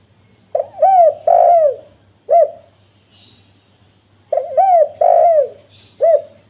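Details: Spotted dove lure call for wild doves. Two phrases of hollow coos, each a short note, longer falling hoots and a clipped final note, separated by a short pause.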